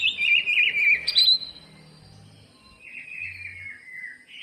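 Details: Greater green leafbird singing as a lure for lazy birds: a loud, quick warbled phrase with a sharp upward jump, a quiet gap, then a softer falling chatter.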